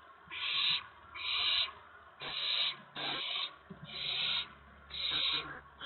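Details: Owls at a nest around 8 PM on April 19, 2017, while both adults bring food for the owlets: loud, breathy hissing screeches, each about half a second, repeated roughly once a second with short quiet gaps and faint clicks.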